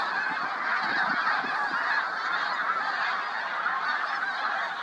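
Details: Snow geese gathered on a field near Seneca Falls give an unbroken wall of overlapping high-pitched honks. The whole flock calls together, steady in loudness from start to finish.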